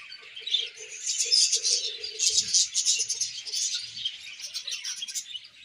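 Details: Colony of budgerigars chattering together, busy overlapping high chirps and trills forming a steady bright chorus, with a few soft lower notes underneath.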